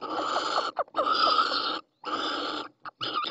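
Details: Female Little Owl calling from the nest in Ávila, Spain, in April during egg laying; harsh, raspy, hissing bursts with a noisy tonal band, three long rasps broken by short gaps.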